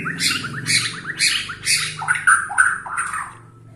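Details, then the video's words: Borneo-style White-rumped shama whose song provokes rival shamas: loud rasping squawks repeated about every half second, then a few clear whistled notes, over a low rumbling background. "gaya murai BORNEO bikin murai lain Naik darah"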